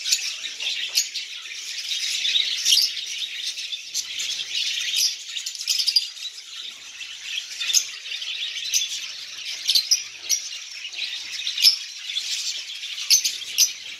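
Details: A lovebird colony feeding on seeds: busy high-pitched twittering from many birds, punctuated by frequent sharp, piercing chirps at irregular intervals.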